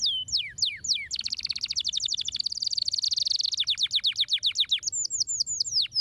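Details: Canary singing, played to encourage silent canaries to sing. Descending slurred notes lead into a dense rapid trill lasting over two seconds, then crisp downslurs and short repeated high whistles.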